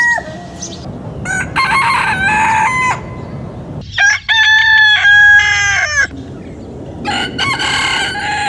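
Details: Roosters crowing in succession, each crow a loud harmonic cock-a-doodle-doo lasting about one to two seconds, with several birds overlapping and short gaps between calls.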